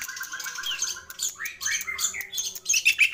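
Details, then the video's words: Cendet or pentet (long-tailed shrike) in a lively, full song: quick repeated notes, then a jumble of slurred chattering phrases and high squeaky chirps, with varied fill-in sounds. "Burung Cendet Atau Pentet Gacor Isian Melimpah Komplit FULL Master"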